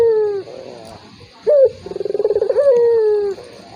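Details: A turtle dove's provoking call for a rival that calls little. A falling coo, a pause, a bright brief note, then a pulsed roll leading into a long sliding coo.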